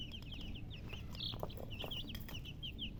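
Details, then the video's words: Chicks peeping: a brisk run of short, high, slightly downslurred cheeps, several birds calling over one another, with faint low rumble and occasional clicks behind. "Baby "Chicks Chirping""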